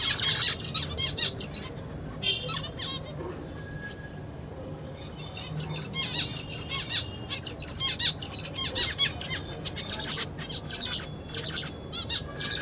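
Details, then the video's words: Zebra finch singing while eating: dense bursts of buzzy, nasal high notes in quick clusters, repeated through the recording over a steady low background hum. "Zebra Finch singing and eating"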